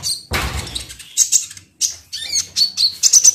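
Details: Sunda pygmy woodpecker, kolibri ninja, used to provoke singing: high chirps and slurred whistles in quick bursts, after a brief rustling noise near the start.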